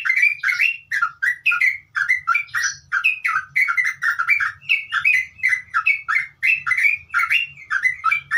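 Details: Sooty-headed bulbul pouring out continuous 'ngeropel' song as a training recording: crowded sequence of clear, liquid whistled notes, varied in pitch, several each second, some higher ringing notes mixed in, and no gaps.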